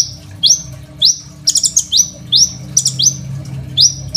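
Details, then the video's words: Crimson sunbird in active song, recorded on an Oppo A37f phone for use as a master and lure for training young birds: sharp high chips sweeping upward, about one every half second, with a brief buzzy trill near the middle. "KOLIBRI NINJA GACOR FULL ISIAN SUPER MEWAH, 100% COCOK BUAT MASTERAN KONIN BAHAN"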